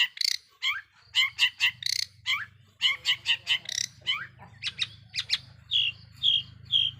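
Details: Long-tailed shrike lure song used to provoke other shrikes: rapid rough squawky notes in short bursts, then a few falling whistles and three clear high whistled notes at the end, over a low steady hum.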